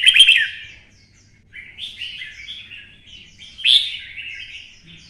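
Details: Red-whiskered bulbul stimulated to sing for fighting, in the twisting-voice style kept by Vietnamese bird enthusiasts. A powerful opening phrase fades, followed after a short gap by rambling warbles and one more loud whistled burst.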